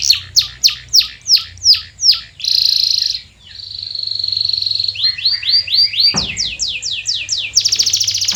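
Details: Canary song used as a lure to stir silent canaries into singing: spaced slurred notes, a sustained buzzy tone, then quick rising trills and a fast rolling run, with one sharp click midway.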